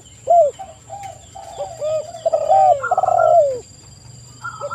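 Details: Spotted dove coos meant to provoke wild doves into replying; a soft opening note, then a cluster of layered, downward-curving coos, over a low rumble and faint electronic whine.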